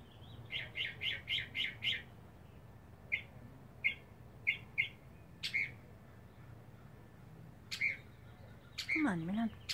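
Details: A singing, dancing male mockingbird in a back yard looking for a mate gives a burst of five quick repeated notes, then scattered single chips, ending with a sliding note that drops low.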